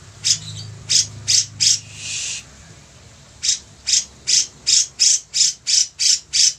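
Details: Grey-cheeked bulbul (cucak jenggot) in lively, active voice: a string of harsh, buzzy, high-pitched notes repeated about every third of a second, broken by one longer hissing burst and a short pause.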